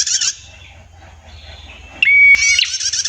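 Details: A female prinia's song with a clear voice. A short trill burst is followed by a quiet gap, then a pure level whistle and a loud rapid trill. A low hum sits in the background.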